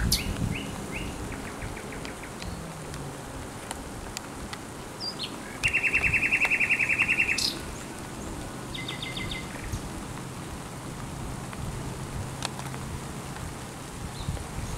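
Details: Thrush nightingale in song at the Żerań Canal, 24 April 2022: a loud, dense rattle of rapid repeated notes lasting about two seconds, framed by scattered ticks, short trills and a continuous low background drone.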